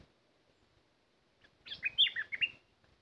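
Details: Bulbul used as a decoy to lure wild birds, singing one short burst of quick, bubbly, warbled notes that rise and dip, starting after a second and a half of quiet and ending abruptly.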